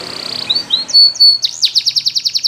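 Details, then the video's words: Spanish Timbrado canary, singing a song used for training: soft wavering notes, a couple of clear held whistles and a looping upslur, then a quick run of sharp repeated chips, over faint low background hum. "Timbrado Canary's Most Powerful Song For Training"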